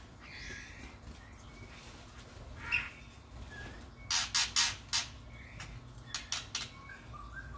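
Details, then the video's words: White-rumped shama chicks being fed by a parent in an aviary: after a faint single squeak, a tight run of four harsh, hissing rasps, then three shorter rasps, over a quiet background. "Pelolohan anak murai batu oleh induknya di aviary"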